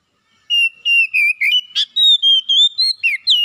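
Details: Oriental magpie-robin song played as a quick lure to get a lazy bird singing: loud, clear whistled notes, about thirteen short bursts in three seconds, mostly level, some sliding down or up, with a quiet background.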